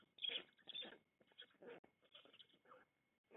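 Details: Black storks being fed on 16 June 2021 in the Łódź forest district, giving hoarse, breathy hissing bursts in an uneven run, the first ones loudest, with gaps between and fading near the end.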